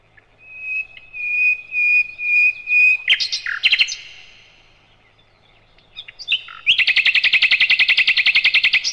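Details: Nightingale, known in Indonesia as sikatan londo, singing as a training master for other birds: a series of pure, level whistles, a burst of harsh notes, a pause, then a rapid, loud buzzy trill.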